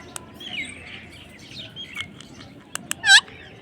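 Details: A parrot lets out a brief, strong harmonic squawk that bends down at the end. Soft chirps and a few clicks come before it.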